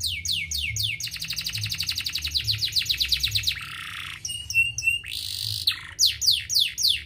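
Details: Lure song meant to prompt a lazy canary to sing: a few descending sweeps lead into a rapid, even trill, followed by varied buzzy rolls, a sustained high whistle and more falling sweeps, with a low background hum.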